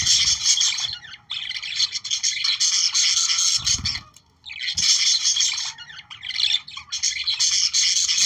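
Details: Budgerigars warbling to prompt breeding: long stretches of busy, grating chatter and squeaks, with one clear pause near four seconds and a soft thump just before it.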